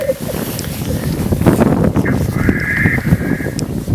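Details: In the Swiss Alps, black grouse give a low, dense bubbling cooing throughout, with a brief higher, steady tone late on.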